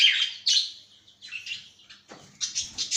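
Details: Cockatiel in a cage giving bright chirps and short warbled phrases, loud bursts separated by brief pauses, ending in a quicker run of high twittering notes.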